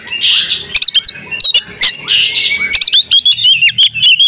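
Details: Oriental magpie-robin female in breeding condition, played to make males sing: buzzy, rasping phrases alternate with sharp clicks and bright, wavering whistles, ending in a quick run of short notes. A low hum sits in the background.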